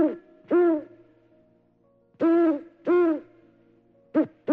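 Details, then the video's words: A Eurasian eagle-owl in Ukraine hoots deep at night: four deep, slightly nasal hoots at an uneven pace, slow and powerful, against a quiet background. The call can carry several kilometres on a quiet night. "sounds. It is slow, powerful and seems to echo between the trees. This is the voice of the eagle owl, the largest owl"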